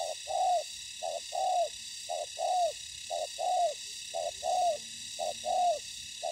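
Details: Decoy spotted dove used for trapping on the ground, meeting aggressive wild birds: a steady series of mellow coos, each a short note followed by a longer falling one, repeated roughly every second over a high steady hiss.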